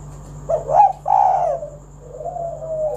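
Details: Spotted dove call meant to start other doves singing: a quick rising note, then a long, falling, throaty coo and a soft trailing coo.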